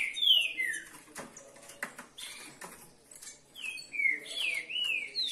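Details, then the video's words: Kept green-winged saltators, more than one bird, give loud bright whistled notes that slide downward, then a quieter gap full of clicks and knocks before another run of rising and falling whistles. "Coloquei meus Trinca Ferros para prova de fogo - Pássaro pixarro ave"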